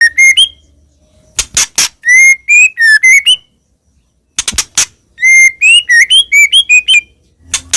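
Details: White-rumped shama singing actively, song used as a lure for other birds: clear whistled notes, some sliding up or down, in short phrases, broken by harsh broadband clicks and bursts and a long pause.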